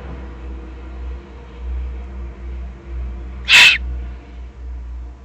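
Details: Over a low rumbling background, a single short, hoarse hissing screech of an excited juvenile Eurasian eagle-owl, recorded in the Eifel, Germany, on 21 June 2020.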